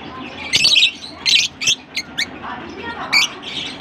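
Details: Larkana lovebirds chattering: a few loud, harsh squeaky bursts and short piercing chirps spaced irregularly over a few seconds, with a low background hum.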